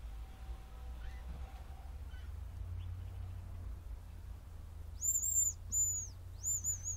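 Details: Hazel grouse giving very high, thin whistled notes near the end: three drawn-out, slightly arching tones in quick succession over a low background rumble, with faint other bird notes earlier.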